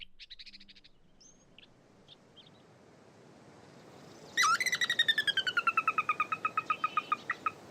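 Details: Catbird mimicking other species such as a sora rail, western wood pewee, Wilson's snipe and Pacific tree frog: a few faint high chips, then a loud, fast, descending whinny of rapidly repeated notes that slows toward the end.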